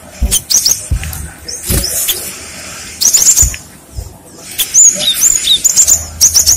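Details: Lure song of a cinereous tit that draws replies. Scattered clicks lead into clusters of thin, high whistles, several dipping downward, growing denser toward the end.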